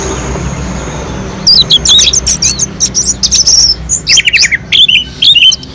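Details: After a quiet start, an orange-headed thrush from a mountain slope bursts into melodious, unbroken song used to provoke other birds: sharp high chips and slurred whistles, then a descending run of rapid notes.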